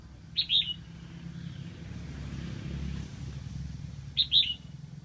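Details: Red-whiskered bulbul used as a decoy in Lang Son, Vietnam, to lure wild birds, giving two identical short whistled double-note phrases about four seconds apart while a vehicle engine rumbles in the background.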